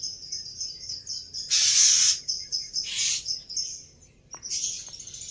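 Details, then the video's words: A Black-winged myna lure song for coaxing a bird into song: sustained high whistles with three loud, rasping hissy bursts, over faint background noise. "Tes Dengan Suara Pancingan Burung Jalak Putih Ini Di Jamin Nyaut"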